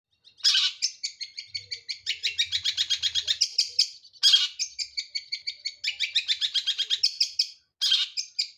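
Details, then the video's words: Long-tailed shrike singing steadily from one perch: rapid, scratchy chattering phrases of dense high notes, each burst running one to three seconds with short pauses between, delivered loudly and continuously. "Burung Pentet gacor nagen satu titik"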